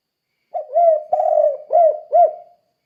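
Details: Persistent 'kuk 2' style cooing of a spotted dove, meant to coax other doves into singing. Low mellow phrase of several notes: a drawn-out coo, then two or three rounded, arching hoots, with nothing else audible.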